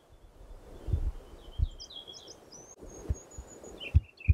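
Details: Ruffed grouse (Bonasa umbellus) drumming in the woods: a few deep, muffled thumps, spaced irregularly and quickening near the end, with thin high chirps and twitters from small songbirds above.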